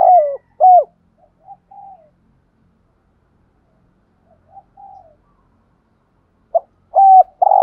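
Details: Spotted dove giving the fast 'thúc gù' coo used to stir wild doves into answering: short clipped mid-pitched coos in a burst, softer low notes, a long pause, then another loud run of coos near the end.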